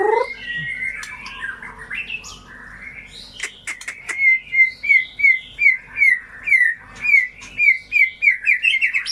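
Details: Shama song as a lure for birds that went quiet: mixed whistles and a few sharp clicks give way to a steady run of short bright whistled notes repeated about every half second, quickening toward the end.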